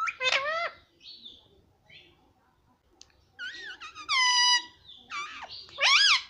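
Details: Talking parrot, said to say papa and mummy; loud, voice-like harmonic utterances with bending pitch, separated by quiet gaps holding a few faint chirps, ending in a strong rising-falling syllable.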